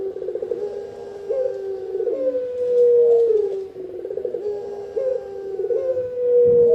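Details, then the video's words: Spotted dove cooing, used for luring birds and as a master sound for training: low, soft, hollow coos with a rolling start, followed by a long level note. The phrase repeats twice. "Burung Tekukur-Derkuku Enak didengan"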